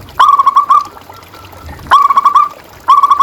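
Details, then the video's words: ['Local zebra dove song used as a lure and master recording. Three rapid rolling phrases of mellow purred notes, each with a sharp start, spaced about a second apart.'] "Suara Perkutut Pikat"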